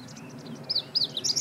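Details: Part of a meadow bunting song from 20 March 2015: three or four quick, high, downslurred notes in rapid succession, preceded by faint soft twitters.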